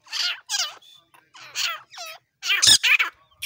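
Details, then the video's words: Partridge with hoarse, scratchy calls and wavering downslurred notes, several bursts close together, the last ones louder and harsher. "Desi Teetar ka shikar milaap Kala teetar aseel murga dakhni teetar Irani teetar sound"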